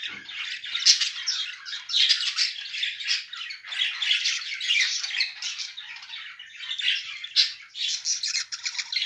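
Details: A paired couple of budgerigars warble and squawk continuously, producing scratchy, rapid chattering with sharp squeaky accents at irregular intervals, in a small indoor space.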